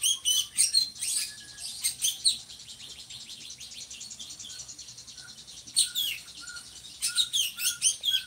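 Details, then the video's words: Drongo singing actively, a bird kept as a song tutor for other cage birds and said to have a loud, monotonous voice. Sharp high chattering bursts and whistled notes open and close the song, with a steady high buzzing trill between and short lower whistles. "SRIGUNTING GACORRR"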